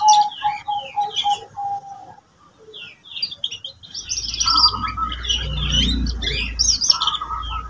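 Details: Song of a canary used as therapy for young birds learning song: a string of even whistled notes, a pause, then lively high twittering and trills over a low rumble.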